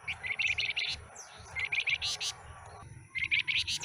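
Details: Stub-tailed scarlet minivet, kept caged after coming from a dealer's bulk lot, gives fast runs of sharp, high chirping notes, pausing briefly before another burst, over a low rumbling hum.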